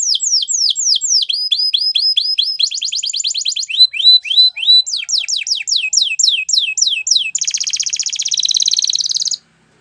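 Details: Gloster canary song made of successive tours of quick repeated whistled notes, some falling, some rising, ending in a loud buzzy rattle that stops abruptly.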